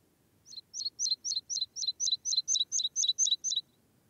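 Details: Meadow pipit song: a steady run of about thirteen thin, high, down-slurred notes, roughly four a second, over a faint background hum.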